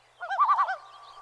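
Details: Common Loon, a waterbird of Northern lakes, giving a tremolo, usually used as an alarm call: a short, rapid, wavering quaver of five or six pulsing notes under a second, then a faint lingering tone.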